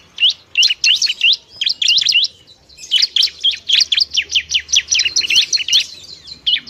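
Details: A semi-stage Bar-winged prinia, called ciblek, in loud song: rapid bursts of high, flicking chirps, a short break, then a steady run of evenly spaced sharp notes.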